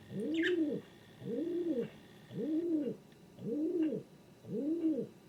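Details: King pigeon cooing in a steady series: five low, arching, rounded coos, each under a second long, repeated roughly every 1.2 seconds, with faint background hum and no other voices.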